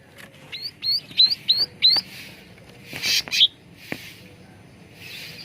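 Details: Cucak ranting bulbul singing, recorded as a lure for training birds: a run of five sharp upslurred whistles about every third of a second, followed by harsher buzzy notes and faint rustling.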